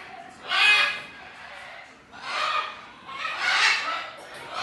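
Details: Two recently fledged great green macaw chicks, a sibling pair bred at the Punta Islita refuge and breeding center, outside their artificial nest box in an aviary. Harsh, raspy squawks come in three drawn-out bursts.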